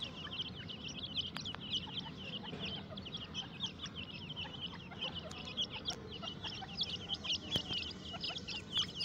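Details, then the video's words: Captive grey francolin chicks, or teetar, in a breeding setup during the breeding season, active and eating. A dense stream of thin, high peeps from many birds keeps going without a break, with a few faint clicks. "teetar ke bache ki awaz"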